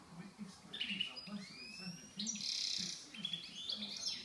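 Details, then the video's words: A goldfinch mule (goldfinch × canary hybrid) sings a bright, fast, twittering song of high tinkling notes, buzzy trills and sweeping whistles over a soft, low pulsing hum. "Canélite et mégélite envoyai les commentaire mullet chardonneret"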